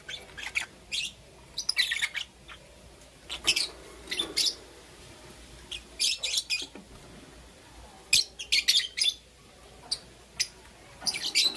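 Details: Morning chirping from two green opaline lovebirds, with rapid clusters of shrill, squeaky, broadband chirps coming in irregular bursts throughout, some closely doubled or tripled, and brief quiet gaps between groups.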